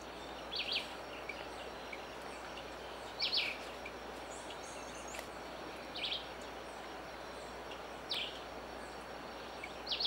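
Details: Squirrel cuckoo (Piaya cayana) giving short, sharp, high calls about every two to three seconds, over a steady hiss of insects and background noise.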